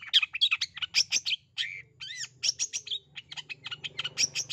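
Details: Pentet, the long-tailed shrike, calling to coax a shy or lazy bird into song: a dense run of scratchy chirps and a few squeaky slurred notes, with a low hum underneath.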